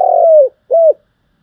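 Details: Spotted dove cooing for use as a trapping lure: the tail of a long, slightly buzzy falling coo followed by a short arched coo, then silence.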